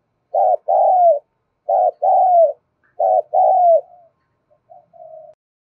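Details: Spotted dove repeating its stimulating call to other doves: three low two-part coos about every 1.3 seconds, each a short note followed by a longer falling one, then a few faint short notes trailing off.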